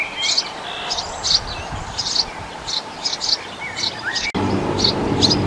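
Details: Eurasian tree sparrow breeding in a nest box last used by a great tit. About ten sharp, high chirps come in loose pairs roughly every half second, with a few brief lower whistled notes and a sudden click near the end.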